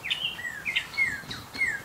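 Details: A Red-winged Blackbird, probably with a nest of young nearby in cattails at a marshy spot by Blue Marsh Lake, scolds a passing hiker with thin, high downslurred whistles, about four in under two seconds.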